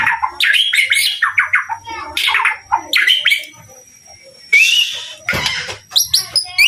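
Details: White-rumped shama song: bursts of varied whistled and chattering notes, some rising, some falling, delivered in quick phrases with a brief quieter pause midway before a harsh burst and further sharp notes.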